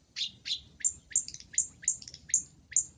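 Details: Long-tailed shrike sound used to lure birds: a rapid series of eight high, sharp chattering notes, about three per second, each with a short upward sweep.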